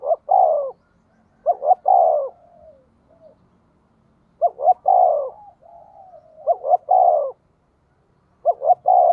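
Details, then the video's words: Spotted dove with a "giọng thổ" voice, used to provoke wild doves: four phrases of a rapid double coo then a long falling coo, separated by quieter low cooing. "cu gay kich boi nhanh noi gù, tiếng thúc cực đỉnh"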